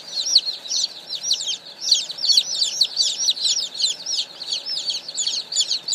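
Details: Brooder full of one hundred fresh baby chickens that came in this morning, producing a constant crowd of piercing, falling peep notes, many birds calling at once in rapid overlapping bursts.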